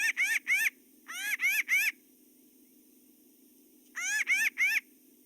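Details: Pinyon Jay alarm calls, a rack series: harsh, nasal, rising-falling notes repeated in quick bursts of two or three after short pauses, calling birds to alarm, over a faint low hum.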